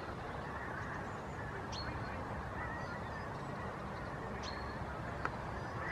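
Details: Pink-footed geese passing overhead in skeins above Pearson Park, giving a steady massed chorus of overlapping honks, with a few brief higher yelps and a sharp click near the end.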